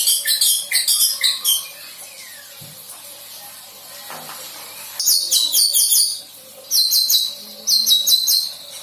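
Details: Young white-rumped shama, just past its spotted juvenile stage, learning to sing filler material. Bursts of rapid, high, buzzy chirps are repeated in short runs, with quiet gaps between them.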